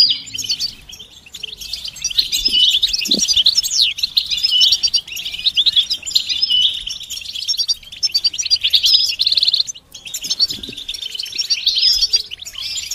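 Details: Goldfinch mating and readiness calls, bitbita and stista, played to make a silent male sing; a long, unbroken, lively twittering chatter with a brief lull near the tenth second.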